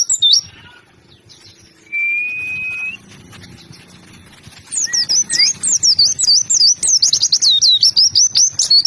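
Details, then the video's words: White-eye calls: a few high chirps, a single steady whistled note, then a rapid trill of high, wavering notes that grows fuller toward the end. "pleci gacor mp3"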